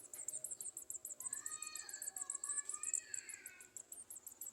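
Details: Nestling Garden sunbirds being fed at the nest by adults; a fast, steady series of shrill high ticks, about six per second throughout, over brief lower warbled notes.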